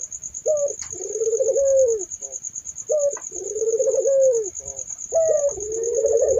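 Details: Barbary dove: a short sharp note followed by a long rolling, warbling coo, repeated about every two and a half seconds, with a steady high-pitched whine running throughout.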